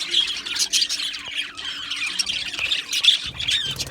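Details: Australian budgies chattering in an aviary colony, loud squeaky chirps and scratchy warbles tumbling over one another in a short, busy burst.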